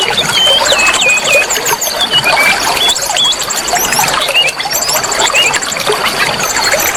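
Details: Oriental magpie-robin singing to stir a caged bird's excitement: rich whistled phrases with rising and falling slides and quick rattling trills, over continuous running-water noise and a thin steady high tone.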